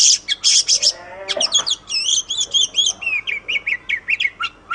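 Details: Oriental magpie-robin singing on a master recording used to train caged songbirds: strident high repeated notes open the phrase, followed by rapid warbled whistles and a string of short falling chirps.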